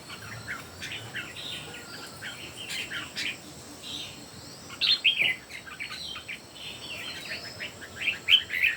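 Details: Red-whiskered bulbuls, three birds in a singing contest, trading quick clear warbling phrases, bursts of a few notes each, louder phrases near the middle and end, with a constant high insect-like hum behind them.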